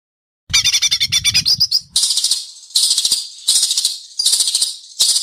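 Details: Competing white-rumped shama in Indonesia, judged in a singing contest, delivering sharp besetan: a quick string of high chipping notes, then four harsh buzzing bursts spaced under a second apart with short pauses between.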